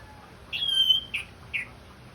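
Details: Orange-headed thrush, therapy song meant to prompt the bird to sing: a sustained high whistled note lasting about half a second, then two short whistled notes spaced roughly 0.4 seconds apart, with quiet background.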